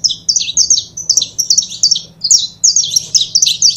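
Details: Song from a pair of saffron finches: rapid sharp chirps and slurred high notes tumbling over each other almost without pause. Faint low hum in the background.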